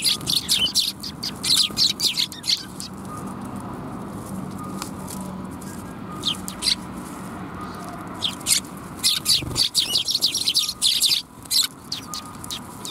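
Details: Sparrows at a Tenmangu shrine on 23 December 2021, giving bursts of sharp high chirps and twitters in clusters, with quieter pauses between and faint background hum.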